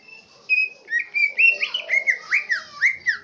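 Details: Green leafbird from Central Aceh giving its swiftlet-imitating song, with a soft whistle first, then loud, evenly spaced, downslurred chirps, roughly three each second.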